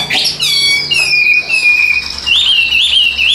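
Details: Caged Chinese hwamei, a tame bird that sings while hand-carried, delivering a strong descending whistled note with rich overtones, then a long sustained whistle and rippling, wavering whistled notes.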